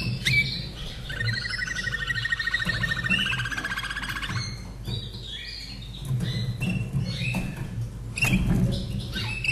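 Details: Caged Slavujar canary in Austria, from 2011, opens with a long rapid rolling trill lasting about three seconds, then scattered whistles and chirps, a steady low hum running throughout.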